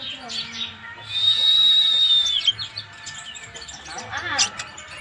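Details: Flaming sunbird, the kolibri ninja, in vigorous master-recording song: a long thin level whistle, then scattered high chirps and short trills, over a soft low hum.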